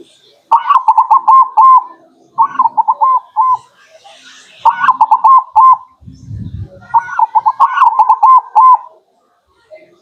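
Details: Local zebra dove (perkutut) cooing, used as a lure for attracting birds: four bursts of fast, rippling soft coos, each about a second long, separated by short gaps, with a brief thump and faint speech nearby.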